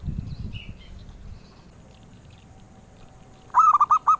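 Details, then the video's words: Zebra dove, a melodious songbird sought by collectors. A low rumble and quiet background give way to one short run of rapid, bubbly cooing notes at the end. "Suara Merdu Burung Perkutut"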